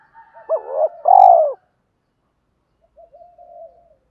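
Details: Spotted dove used as a decoy to lure wild doves: a double coo, a quick wavering note then a long throbbing one falling at its end, followed after a pause by soft low murmurs.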